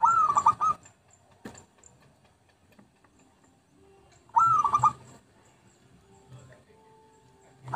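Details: Zebra dove song from a lure recording, two brief rolling phrases of quick staccato coos about four seconds apart, with faint clicks and a soft hum between them.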